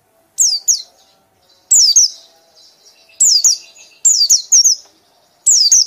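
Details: White-eye ngekek, loud: bursts of two or three high, quickly descending chirps, roughly every one to one and a half seconds, with quiet gaps between.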